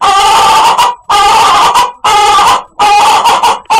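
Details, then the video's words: Chicken with a strange, funny voice giving long, loud, raspy nasal squawks, each close to a second long, repeated with short silent pauses between them. "Funny Chicken Sound"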